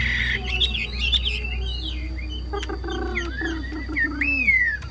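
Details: Chinese hwamei kept as a cage bird, singing bright whistled slurs and a long clear rising-then-falling note, partly covered by lower buzzing and humming sounds in the room.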